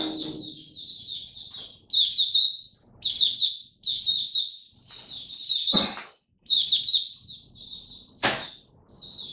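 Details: Oriental white-eye in captivity giving a 'Buka Sing Raja' song display, 26 November 2022; high, tumbling twittered phrases about a second long separated by short pauses, with two sharp clicks partway through.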